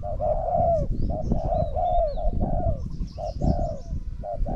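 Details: Spotted dove cooing during a decoy contest between a decoy bird and a strong-cooing wild dove; dense, overlapping mellow coos follow one another almost without pause over heavy low rumble and faint high twitters.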